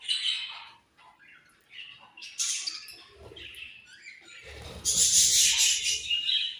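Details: Several pet budgies chirping together: dense, high-pitched chattering and twittering in overlapping bursts, swelling into a loud continuous chorus near the end, with some low rumbling underneath.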